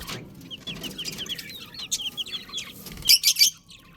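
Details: Chicks cheeping in a quick run of high, falling peeps, about three a second, fairly even at first, then a few louder, harsher bursts before quieting down.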